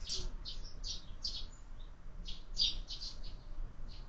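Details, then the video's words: Sparrows at a feeder mounted on a window, having breakfast where birds are fed all year round; short bright chirps come in quick bursts, about ten in four seconds, over a low indoor hum. "Воробьи в кормушке"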